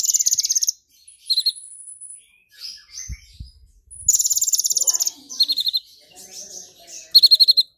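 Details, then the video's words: Excited brown-throated sunbird singing hard after being provoked, with grasshopper mimicry worked in: repeated bursts of shrill, rapid, buzzy trilling at very high pitch, separated by brief gaps and softer twittering. "KONIN GACOR kepancing EMOSI NGOBRA nembak isian BELALANG EMAS (Purple Throated Sunbird)"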